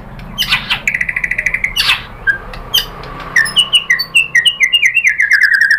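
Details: White-rumped shama singing a pancingan to make other birds reply: harsh buzzy bursts, a fast series of short notes, then a run of descending whistled notes that speeds up.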